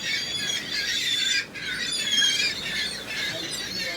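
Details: Gulls in numbers, their shrill squealing and squawking cries blending into a continuous high chorus with brief gaps.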